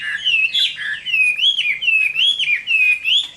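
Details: Summer midday fighting song of a caged Chinese hwamei, a string of clear rising and falling whistled phrases, each looping note swelling and dipping in steady succession.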